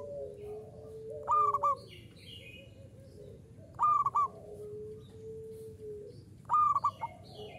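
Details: Actively singing local zebra dove, 'uraa umum' style perkutut lokal: a ringing three-note cooing phrase repeated three times about every two and a half seconds, with steady lower hums and scattered high chirps from nearby birds.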